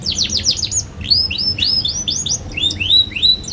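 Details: Young canary in full song, a lure recording for teaching other young canaries: rapid downward chirps followed by repeated rising-then-falling whistled swoops, about three per second, bright and high.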